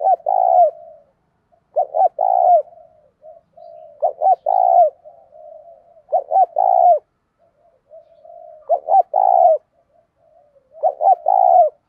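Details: Spotted dove decoy cooing to stir up fighting, six repeated phrases of two short notes and a longer low coo, spaced about two seconds apart with quiet murmurs between.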